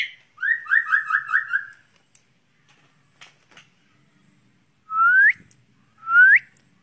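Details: White-rumped shama, a kept bird placed out in the open air to train its breathing. It gives a rapid rolling trill of about eight notes, then a pause and two clear rising whistled upslurs about a second apart.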